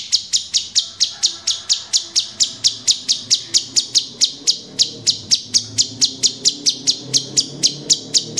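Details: Orange-bellied Leafbird kept as a cage bird, 'tembakan' style tutor song for training birds: a steady series of sharp, high chip notes repeated about twice a second for the whole stretch.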